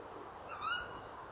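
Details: Tawny owl calling at a nest box on a November evening in 2013, around 19:22, while a pair visits the box: one short, shrill, upward-sliding call with bright overtones over a faint steady background hiss.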